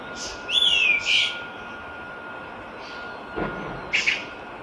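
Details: Javan pied starling singing in the wild: a pair of bright whistled notes sliding downward, then a pause and two short harsh bursts, over a steady faint electrical hum.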